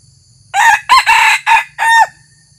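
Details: New decoy red junglefowl rooster on its first outing, used to lure wild junglefowl, gives one loud, harsh crow of about five clipped syllables, the middle one longest, with a faint low rumble behind.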